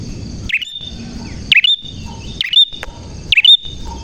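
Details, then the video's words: Bar-winged prinia singing: loud, sharp chirping notes that sweep down then up, in bursts about once per second, over a steady high thin whine and low background rumble. "Burung Prenjak Gacor Suara JERNIH"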